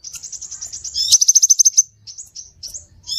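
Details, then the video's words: Lure sound of the scarlet minivet: a rapid string of high, thin notes, then about ten strong pulsed whistles in quick succession, followed by short, scattered twitters. "Suara pikat burung SEPAH RAJA"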